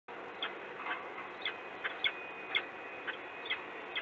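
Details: Peregrine falcon in Gdynia, Poland, recorded 26 February 2016 around 09:19, giving a run of short, harsh, high calls about twice a second over a steady rushing background hiss.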